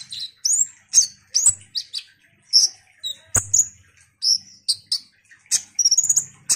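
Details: Vigorously singing ruby-cheeked sunbird meant to excite other sunbirds: a steady series of separate high squeaky whistles, some rising, some falling, roughly two per second, with a faint low hum.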